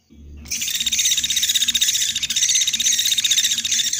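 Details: Common flameback lure call used to attract birds for trapping: a loud, dense, high buzzing rattle that starts after a short silence and runs on without a break, with a faint low hum underneath.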